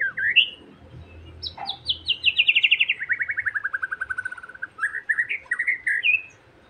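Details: White-rumped shama song used as a provocation recording to stir a shama's emotions so it starts singing readily; loud whistled notes open it, then a long rapid run of clear notes slides steadily downward before ending in a few bright rising whistles.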